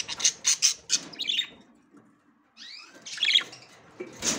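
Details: Female budgerigar checking the nest for the first time, giving sharp high chirps in a quick burst of five, a pause, then a rougher chattering run and a final chirp.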